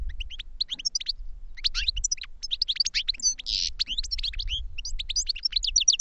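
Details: Goldfinch twittering in quick bursts of high chirps and slurred whistles, including one short buzzy wheeze, over a faint low rumble.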